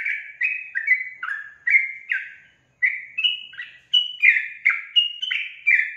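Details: Trucukan, the sooty-headed bulbul, sings continuously in gacor style, a quick string of clear whistled notes that slide downward and jump between pitches, with a brief pause midway.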